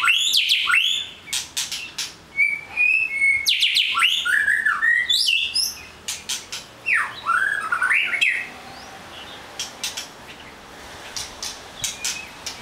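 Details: A white-rumped shama sings a varied sequence: clicks, level whistles, swooping slurred phrases and harsh squawky notes, quieter scattered clicks toward the end.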